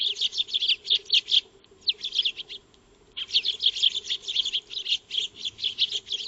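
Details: A flock of Eurasian tree sparrows feeding in a backyard, recorded by a solar wildlife camera: dense continuous high chirping chatter, a brief lull near the middle, then the busy chirps resume, over a low hum.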